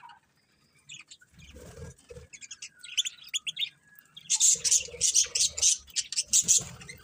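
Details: Budgies start quietly with faint twitters, then break into louder, sharp chirps repeated roughly twice a second, with light low rustling underneath.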